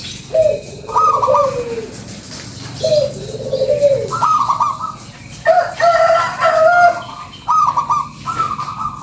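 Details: Local zebra dove lure song from an actively singing bird: repeated phrases pairing lower, falling coos with higher, trilled bubbling coos, several sequences in a row with short pauses between them.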